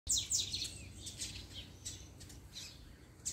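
A Double-collared Seedeater sings a quick burst of high, thin, down-slurred chirps, then scattered fainter notes, over a low background rumble.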